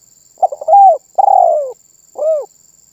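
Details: A spotted dove sings one phrase: a rapid stutter swelling into a rounded coo, then a long coo gliding downward, and a short curved coo to finish, with a steady faint high hiss behind.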